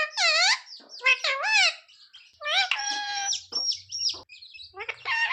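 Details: Talking pet parrot producing rapid speech-like syllables and a long harsh harmonic phrase, with faint high squeaks between, asking for roti.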